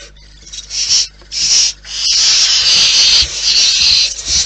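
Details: Barn owls in the wild at the nest give a long, rasping hiss that begins in short pulses and then runs almost unbroken for over two seconds, with soft scraping and rustling underneath.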